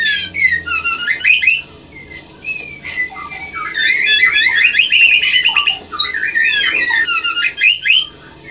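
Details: Caged-style pairing of white-rumped shamas, the female drawing the male into breeding condition: long, varied rich song of whistles, rapid warbled runs and sharp high notes, continuous over background hiss.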